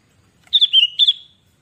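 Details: A lure recording of a sooty-headed bulbul gives one clear, liquid whistled phrase of three slurred notes that falls slightly and fades out. The background is quiet.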